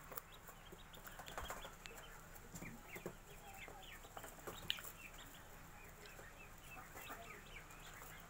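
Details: Magpie duck ducklings, a day old, peeping together: many brief high chirps overlapping in a steady chatter, some rising and some falling, with soft rustling and a constant low hum.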